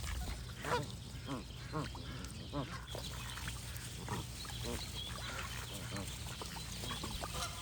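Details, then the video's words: Continuous overlapping goose calls from a flock, with honks and chatter rising and falling across the whole stretch over steady hiss. "Goose & Birds Sound Effects for Relaxation"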